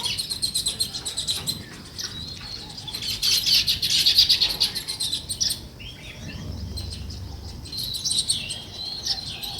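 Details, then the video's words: Sparrows, also named weaver birds, in a natural setting: dense, high chirping and chattering from many birds, rising and falling in intensity, with faint low rumbling. "Natural Sparrow Chirping Sounds |Weaver Birds"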